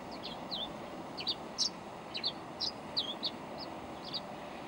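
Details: Tree swallow, one of a nesting pair in a yard, perched on a hummingbird feeder hanger a few feet from the recorder: short, high, liquid chirps and twittering, about one a second in loose clusters, over a low hum.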